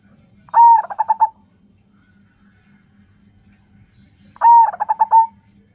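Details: Zebra dove of local stock, whose call is used to draw other doves into calling. Two identical phrases almost four seconds apart, each a long coo dissolving into a short rattling string of notes. Low rumble beneath.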